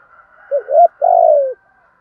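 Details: Spotted dove used as a lure, 'thúc gù' style cooing: a faint hum, then one phrase of two short throaty hoots and a long, steady, mellow coo lasting about half a second that sinks at its end.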